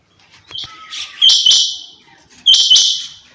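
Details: Female rain quail giving two harsh, buzzy, hissing bursts about 1.2 seconds apart, each opening with a sharp doubled click, with faint soft chirps before them.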